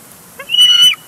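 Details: Bald eagle at a nest at Big Bear Lake, live camera, June 23, 2022, as the mates struggle over a large fish; one high, piercing whistled call with a slightly wavering tone, lasting about half a second.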